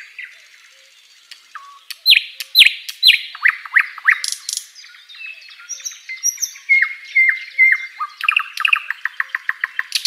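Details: Asian brown flycatcher song, energetic and suited to teaching songbirds: sharp descending chirps, then rapid twitters and short flat whistles, finishing in a quick series of clipped, repeated notes.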